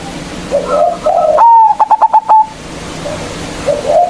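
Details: Zebra dove with a big voice, used locally as a lure to call up rivals: a single phrase of a whistled note and about five quick clipped notes, with faint cooing before and after.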